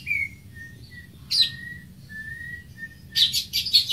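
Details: Greater green leafbird (Chloropsis sonnerati) singing: short, clear whistled notes held level at mid pitch and separated by brief pauses, broken by two harsh, noisy bursts. Low background hum throughout.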